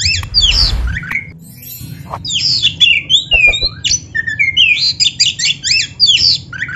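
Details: Oriental magpie-robin, black-breasted form, singing continuously in a recording meant to coax caged birds into song. It opens with a noisy burst, then rich, fast phrases of clear whistles, slurred up- and down-sweeps and scratchy notes follow almost without pause.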